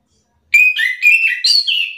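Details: Excited Orange-headed thrush answering a rival's song with a rapid string of rich, slurred whistles jumping up and down in pitch.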